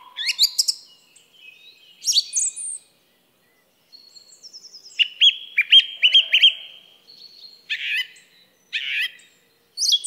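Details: Varied song thrush phrases: high chirped bursts, a fine rattling trill, then a clear note sung several times in a row, followed by harsher, buzzy phrases, with short silences between.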